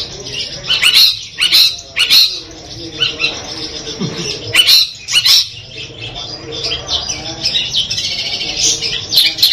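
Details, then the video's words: Long-tailed shrike from Madura singing full 'armageddon' material: loud, dense high chattering and scratchy phrases with sharp harsh bursts and a brief lower voice-like sound mid-way. "CENDET MADURA PETERPAN DENGAN MATERI FULL ARMAGEDON"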